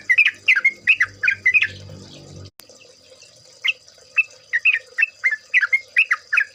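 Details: Trucukan, the yellow-vented bulbul, in a ropel lure recording meant to make birds sing. A dense run of bubbly, warbled notes over a low hum is followed by a steady series of short, rising-then-falling chirps, about two per second.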